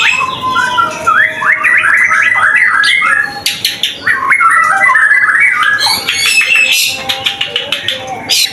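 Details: Lively White-rumped shama singing, used as a lure to get other shamas singing quickly: varied chattering phrases of quick slurred notes, scratchy bursts and high whistles, delivered in fast, uneven sequences over a faint steady hum.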